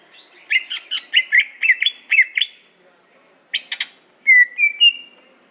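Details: Greater green leafbird of the Aceh type, a competition bird, giving a rapid series of repeated chattering whistles, a short harsh burst, then clear rising whistled notes.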